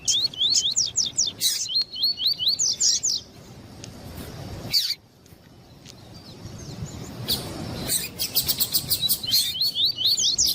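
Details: Double-collared seedeater with a female calling to stimulate the male: fast repeated upward-sweeping whistles in two bursts, separated by clicks and a brief lull.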